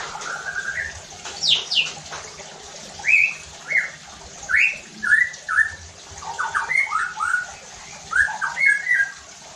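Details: White-rumped shama singing as a lure to set other shamas singing: steep high sweeps, then a varied run of short rising whistled notes delivered roughly one to two per second, with light hiss.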